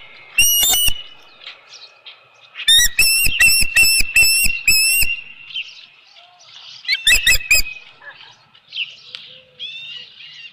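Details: Osprey nest, 15 July 2018 at 7:55 PM, a headless fish arriving: short bursts of shrill whistled chirps separated by quieter stretches with softer scattered calls.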